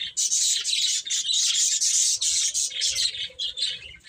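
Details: Baby chickens while eating and playing keep up a loud, dense wall of shrill chirps, many chicks peeping at once, easing slightly near the end.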